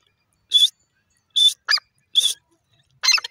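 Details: Black francolin calling, desi bird: loud harsh grating bursts, five short notes over about three seconds at an uneven pace, some with a rasping, stuttered quality, against a quiet background.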